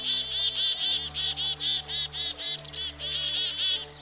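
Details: Black-capped Chickadee, a common American backyard bird, giving a long run of buzzy, harsh 'dee' notes, about three per second, fairly steady in pitch with one brief higher chatter midway, over a soft sustained low musical drone.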